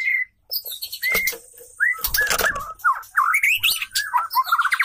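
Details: Female white-rumped shama (murai batu) singing, said to lure and excite males; a long steady whistle, then rapid varied whistled notes and slurs with sharp broadband clatters and thumps in between.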